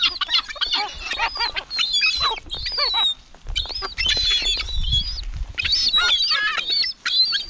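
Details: Gulls in a cemetery utter sharp, bending squeals and yelping notes in clustered bursts separated by short pauses, with some low rumble beneath.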